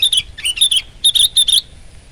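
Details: Sooty-headed bulbul in full, chatty song: a rapid run of bubbly, slurred whistled notes in quick clusters, rising and dipping, lasting about one and a half seconds before falling silent.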